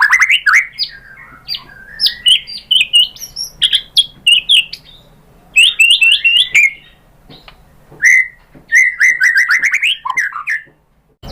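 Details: Lure song of a white-rumped shama for provoking a reply: high sharp chirps and fluty phrases in separate bursts, with quiet gaps, ending in a rapid twittering series.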